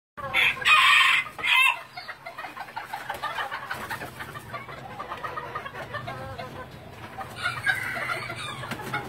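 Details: Thai bantam chicken kept for breeding: a loud harsh crow opens, then a second short burst, followed by a busy mix of clucks and chatter from a flock, with another crow rising near the end.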